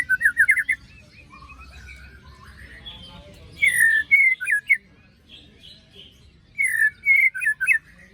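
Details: White-rumped shama singing after moult, a lure with sharp 'besetan' notes: a rapid trill opens, followed by two phrases of loud, twisting whistled notes separated by a quiet stretch.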